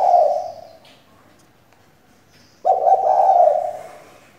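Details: Spotted dove female used as a lure so males will coo, with the tail of one low coo, a pause of about two seconds, then a full rolling, pulsed coo.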